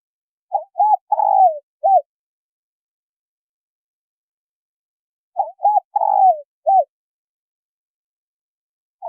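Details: Female spotted dove calling to get a male cooing. Two phrases roughly five seconds apart, each with two short coos, a long tremulous falling coo and a brief final note. A new phrase begins at the end. The background is silent.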